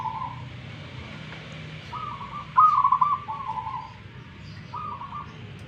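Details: Local zebra dove from Tuban, East Java, singing a series of rapid trilled coo phrases, several short bursts spaced about a second apart, over steady low hum and occasional speech.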